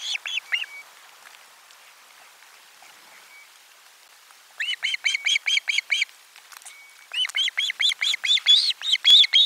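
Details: Osprey at a nest during a midday fish delivery, 12 July 2022, giving series of shrill, high chirping whistles, first a few, then a rapid run of repeated notes from about halfway through, growing louder toward the end.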